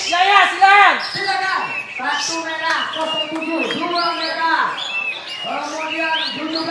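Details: Sooty-headed bulbul, a contest-winning bird, gives rich, bubbly phrases of rising and falling whistled notes about twice a second, overlapping with other birds and background voices.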